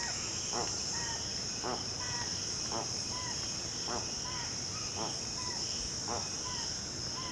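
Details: Spix's guan from the Amazon region, a bird of lakes and rivers: harsh, stacked honking notes repeated about once a second, with short whistled notes between them, over a loud steady high insect drone.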